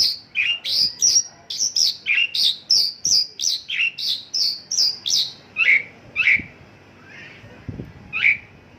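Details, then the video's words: Mongolian lark, 'isian lokalan' song: a regular string of sharp, emphatic notes about twice a second, slowing toward the end into a few spaced, lower chirps. "Mongolian lark isian lokalan"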